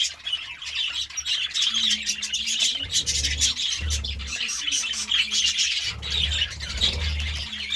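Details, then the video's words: Budgies in the morning giving a steady run of chattering chirps and squeaky warbles, with intermittent low rumbling noise underneath. "Budgie Sounds part 33 | A beautiful chirping sound in the morning"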